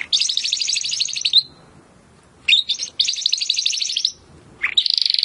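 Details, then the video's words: Timbrado canary song played to train other canaries: two long rolling trills of fast, even notes, separated by a short pause, ending in a harsher buzzy roll. "AUDIO mas PODEROSO de TIMBRADO para el ENTRENAMIENTO"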